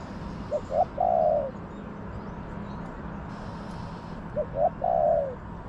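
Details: Wild spotted dove in a garden answering a caged decoy during trapping. It gives two cooing phrases, each two short hoarse notes followed by a longer, purring coo that falls at the end. Steady background hum.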